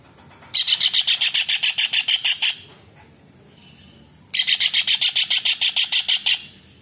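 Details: Kingfisher, called cekakak or raja udang, in full voice as a tutor recording for songbirds: two separate bursts of about fifteen rapid, harsh, grating notes each, evenly paced, separated by nearly two seconds of quiet.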